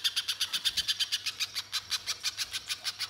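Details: Spiderhunter, a banana spiderhunter in full voice used as a lure to get other birds singing: a fast run of sharp, high chipping notes, about six each second, evenly spaced, with a faint low hum beneath.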